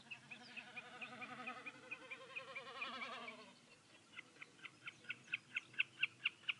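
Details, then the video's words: Common snipe (Bekassine, Gallinago gallinago): a throbbing, bleating hum for about three seconds, then a rapid, steady series of sharp, high ticking notes that grow louder. "Die Bekassine - Common snipe"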